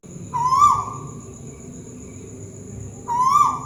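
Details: Tuwu bird, a Malaysian scops owl, calling from up high: two soft hooting whistles nearly three seconds apart, each gently rising then cut off, over faint low rumble.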